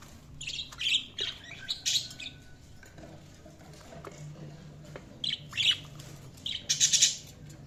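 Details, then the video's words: Budgies chirping in two bouts of quick, bright, high warbled chirps, the first within the opening two seconds and the second near the end, separated by a quieter stretch with a faint low hum underneath. "Budgies Sounds| Budgies Chirping sound"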